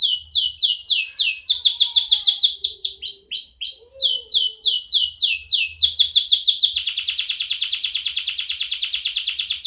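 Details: Caged canary singing, heard both in a new and in an old cage: fast rolling trills of repeated descending notes, several phrases at changing speeds, ending in a rapid even buzzy trill, with faint low thumps.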